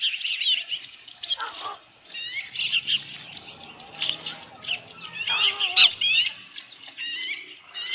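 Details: Osprey calling at its ranch nest around a headless fish, summer evening 2018: bursts of shrill whistled chirps, some upward-slurred, in quick irregular runs separated by brief pauses, with faint low background noise.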